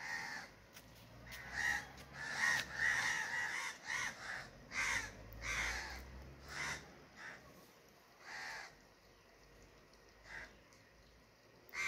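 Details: Crow cawing repeatedly in an irregular run of harsh, grating calls, loudest in the first half, then fading to scattered single caws.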